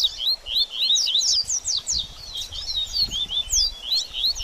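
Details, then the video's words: Double-collared seedeater singing baderninha style to warm up a moulted bird: a quick, jumbled run of high swept chirps repeated in short pulses, over faint low noise. "BADERNINHA DE COLEIRO Top Pra Esquentar Seu Coleiro Pós Muda De Penas!!!"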